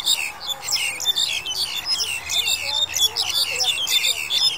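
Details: Black-collared Starling recorded in January 2021, a dense, unbroken stream of harsh, scratchy chattering and squeaky notes, loud and busy throughout with no pauses; faint low background hum.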